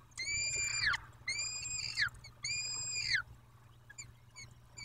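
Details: Three evenly spaced, drawn-out wails from a peregrine falcon nest in Dobra, recorded 14-05-21 at 14.18, each about a second long with a falling tail, followed by soft faint chips.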